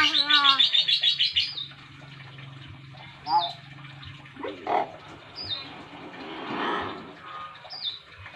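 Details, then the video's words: A young Nias hill myna from North Sumatra, Indonesia, learning to talk and very chatty; a fast run of high rattling notes, then speech-like phrases and several sharp whistled downslurs. "Beo nias cerewet banget"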